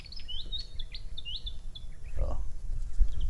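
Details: Philippine pied fantail, one of two, perched near the recordist at Tarlac Recreational Park in San Jose, Tarlac, giving a quick run of high, squeaky, jumbled notes for about two seconds over a low rumble, then a brief human sound.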